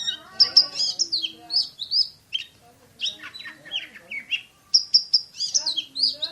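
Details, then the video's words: Kacer, the Oriental magpie-robin, sings "tembakan" (shooting) style at high speed: clear whistled phrases, descending slurs and harsh rasping notes in quick bursts, a short pause midway, then a run of repeated sharp whistles. "KACER JUARA SUARA TEMBAKAN !!! BURUNG KACER NEMBAK SPEED RAPAT"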